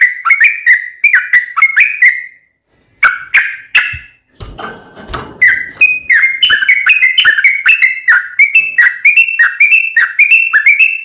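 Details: Sooty-headed bulbul in fighting, long rapid 'ropel' style, played as a lure to make other bulbuls answer: bubbly, slurred notes in quick runs, broken midway by a short burst of broadband noise before the chatter resumes.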